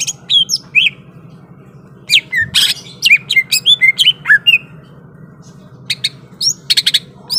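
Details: Greater green leafbird, described as ready to fight, pouring out rapid varied phrases: chipping notes, sliding whistles and a harsh burst, about two notes per second, with a constant low electrical hum.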